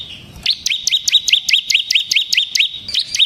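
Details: Bar-winged prinia singing in the semi-gacor ngebren style, used as a lure and tutor for other prinias: a steady run of about a dozen sharp, high, upward-flicking chirps, roughly two per second, with a brief pause and a restart near the end.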